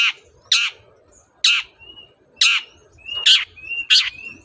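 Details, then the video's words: Long-tailed shrike singing in the morning to provoke answers from other birds; harsh grating notes spaced about a second apart, with soft steady whistles between them. "SENSASI CENDET GACOR PAGI HARI BIKIN BURUNG APAPUN EMOSI NYAUT BUNYI"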